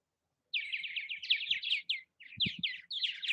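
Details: At nest houses in Southwest Missouri, a purple martin gives a rapid string of rolling, slightly descending chirped notes in short bursts, with one brief low knock partway through.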